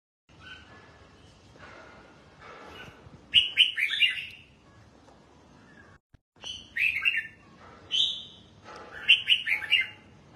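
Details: Caged red-whiskered bulbul, kept for song training toward contest singing, delivers short, loud, warbled whistled phrases in bursts separated by quiet gaps of a second or more.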